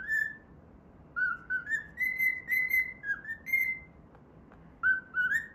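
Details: Whistling the Pythagora Switch theme as it plays, a pet cockatiel gives bright stepped notes that climb to held tones in repeated phrases, with a noticeable low background rumble.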